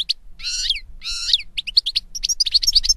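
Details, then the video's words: European goldfinch song with two harsh, nasal buzzy phrases followed by a quick string of bright tinkling twitters, quiet surroundings. "Birds Singing - European Goldfinch"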